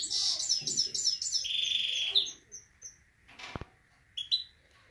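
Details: Himalayan goldfinch singing with a canary: about two seconds of fast twittering and a buzzy trill, then sparse single chirps and a sharp knock.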